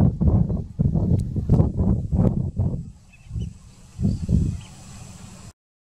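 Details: White-faced ibis at Rio Maldonado, Uruguay, in 2020, giving low, guttural grunting notes in a quick run of about three or four per second, then a few slower, softer grunts.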